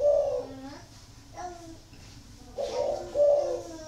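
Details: Aviary spotted dove in Ba Vì district, Hanoi, Vietnam: a soft low coo opens the clip, then after a quiet gap a longer, rounder two-part coo, with faint room noise behind.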